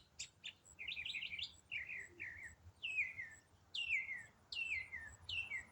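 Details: Unidentified songbird singing in autumn, part of one complex riff delivered non-stop for eight minutes: buzzy trilled notes, then a run of high whistles sweeping steeply downward, each repeated with short gaps.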